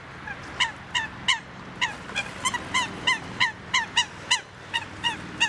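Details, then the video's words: Eurasian coot on Lake Annecy at Duingt beach, Haute-Savoie, French Alps: a brisk series of about sixteen clipped, trumpeting kowk notes in five seconds, closely spaced and slightly uneven, with faint low rumble behind. "Le chant de la Foulque Macroule"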